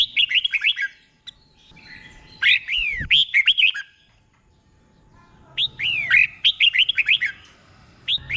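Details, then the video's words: Tutor song of a caged Red-whiskered bulbul for training birds, notes doubled in pairs ('beol'). Chirpy whistled phrases with downward-slurring notes come first. A quiet gap follows, then a long, lively run of whistles. "เสียงนกกรงหัวจุก | สุดยอดนกครู เบิ้ลชัดๆ เบิ้ลเป็นคู่ๆ"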